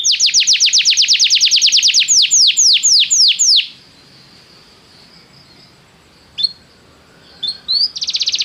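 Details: Training song meant to make a canary sing at once: a rapid high trill slowing into longer falling sweeps, then near silence broken by a few short high chirps and a final trill.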